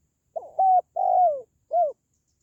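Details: Spotted dove calling, meant to boost pet doves or attract wild ones for trapping: a mellow three-part coo with a short rising opener, a drawn-out sliding middle note and a brief clipped final hoot, clean and quiet.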